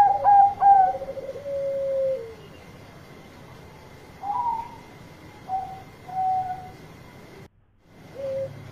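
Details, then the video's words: Loud calling song of a Bangkok zebra dove seeking companions: two strong clipped coos and a drawn-out low purring note, then spaced single coo notes, a brief silent gap, and a quiet coo at the end. "Perkutut Bangkok Gacor Suara Keras Panggil Teman"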